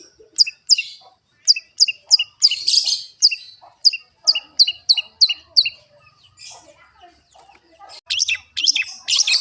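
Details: Long-tailed shrike song: repeated sharp, high, ringing notes at a quick pace, a scratchy burst, a short pause, then a rush of harsh chattering notes.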